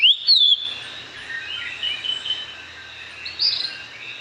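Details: A Puerto Rican Oriole, an endemic of the San Juan Bay Estuary in Puerto Rico, sings its melodic song, usually given mornings and afternoons: a bright rising note, then varied warbling, over a faint hum and other soft chirps.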